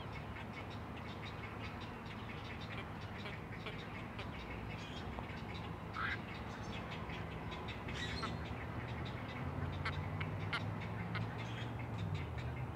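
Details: Four great blue heron (Ardea herodias) chicks at a nest on the Chesapeake call to their mother with rapid, dry clacking calls, a few each second, over a steady low rumble.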